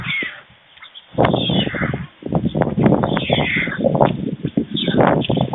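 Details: White stork nestlings, two of them, at a nest in Fohrde, Germany, on 16 July 2019 around midday, when the male adult brought them lunch. They give harsh, rasping, cat-like mewing calls in rapid overlapping bursts, nearly continuous, pausing briefly once.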